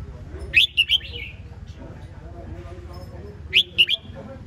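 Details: Red-whiskered bulbul phrase of three loud bright whistled notes ending in a falling slur, repeated after a pause of about three seconds, over faint low rumble.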